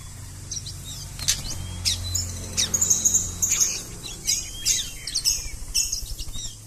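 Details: Kacer, the Oriental magpie-robin, in konslet-style song: quick bursts of high thin chirps and twittering notes mixed with a few longer whistled slides, broken by short rustling clicks over a low background hum.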